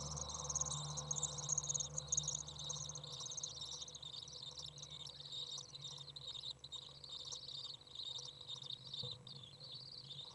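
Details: Common Swift young out of the nest on 27 June 2011, a very warm 30 °C day, with a parent arriving to feed; fluctuating high, wheezy chittering with a louder low hum in the first seconds.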